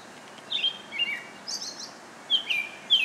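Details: American robin giving clear whistled phrases that slur down, about four phrases in three seconds with a few higher thin notes between, over a quiet outdoor background.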